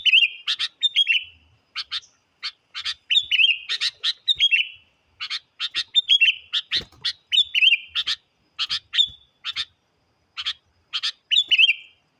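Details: Sooty-headed bulbul used to challenge wild birds; loud, clear, bubbly chirping phrases with short rising and falling whistles, repeated in close bursts with brief gaps.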